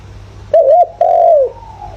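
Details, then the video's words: Spotted dove used as a decoy for wild doves, voice style 'giọng thổ': a single phrase of a wavering double coo followed by a long, gently falling coo, fading into faint distant cooing over low hum. "chim cu gáy gọi, chim cu gáy giọng thổ, tiếng chim cu gáy giọng hợp bổi"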